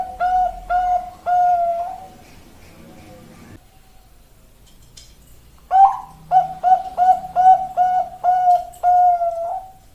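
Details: Zebra dove of the Bangkok line singing in Indonesian style: a phrase of bright cooing notes, a silent pause, then a longer run of about nine short, evenly paced coos ending in a drawn-out note.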